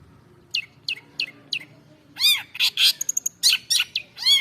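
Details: Long-tailed shrike in varied song: a run of short descending chirps, then loud harsh arched notes and a quick high ticking series, mixed squawky phrases typical of an energetic singing bird.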